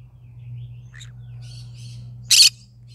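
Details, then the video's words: A morning recording of a pet yellow-sided green-cheeked conure: soft chattering notes, then one loud, grating screech near the end, with a constant low hum underneath. "cute bird singing : good morning My bird singing to day Green cheek conure yellow sided"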